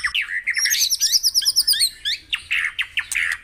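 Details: White-rumped shama song played as a morning stimulation recording to get caged birds singing: rapid varied phrases of high whistles, buzzy trills and sharp chips tumbling together, with overlapping notes at very high pitch.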